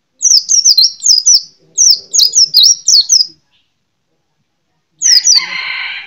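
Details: White-eye (pleci) singing: a fast run of high, thin, down-slurred whistled notes in two bursts, then after a pause a harsh, buzzy, scratchy note trailing off.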